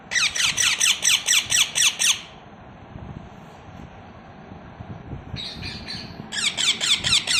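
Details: Baby parrots give rapid, harsh rasping chirps, about seven quick notes in a two-second burst, then a pause with low background rumble before the chirping resumes in shorter bursts.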